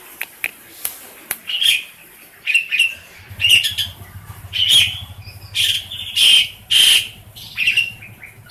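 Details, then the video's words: Tame pet black-collared starling kept as a noisy household bird, used to train other birds: loud harsh bursts around mid-high pitch repeated roughly every half second, with short clicks at the start and a low steady hum beneath. "Suara jalak uren receh jinak.. cocok untuk masteran"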